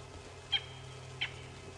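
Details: A francolin calls at sunset on a 1 June safari drive on a cool, peaceful evening: two short, harsh, high-pitched notes about 0.7 seconds apart, over a steady low vehicle engine hum.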